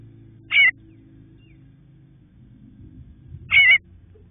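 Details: Bluebird nestlings waiting in the nest for their parents to call them out: two short, harsh raspy bursts about three seconds apart over a low steady hum.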